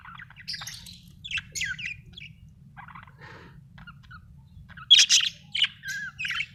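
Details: Australian budgie giving scattered chirps and short rasping warbles, quieter in the middle, then a louder run of sharp chirps and buzzy notes near the end; low background hum.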